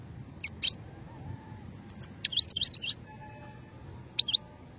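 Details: European goldfinch (moknin) of the old "shetla" song style from Hammam Guergour, Sétif province, Algeria, 2020: crisp, high, tinkling twitters in rapid clusters, a busy run around the middle, then a short closing burst over a quiet background.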